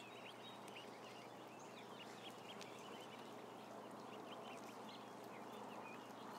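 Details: Faint, high, short peeps from a crowd of about 1,000 ducklings run through the recording, partly buried under a loud steady broadband hum.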